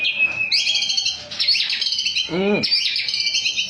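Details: White-rumped shama, a champion songbird: bright high whistles and warbled trills in two bursts, broken by a lower, harsher arching note in the middle.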